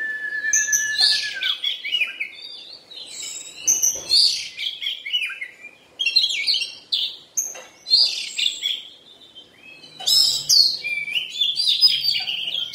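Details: Kacer, the Oriental magpie-robin, during moult: a low drawn-out whistle opens, then repeated bursts of rich chattering and whistled phrases follow with short gaps.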